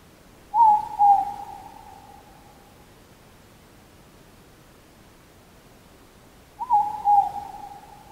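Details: Morepork calling at Mt Karioi, North Island, New Zealand: two-note hoots, the first note slightly higher, falling slightly, given twice about six seconds apart, against a quiet background.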